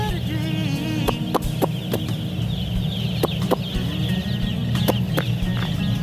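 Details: Farm broiler chickens approaching their keeper as if to a mother hen, giving scattered soft clucks and thin peeps over a steady droning hum, with sharp clicks and taps throughout.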